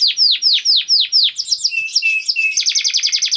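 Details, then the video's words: Canary singing to coax quiet canaries into song: a run of repeated descending whistled sweeps, then buzzy chatter, flat whistled notes and a fast rolling trill. "Kenari Gacor Speed Rapet Ampuh Buat Kenari Macet Jadi Ikut Gacor Lagi || Voice of Canary"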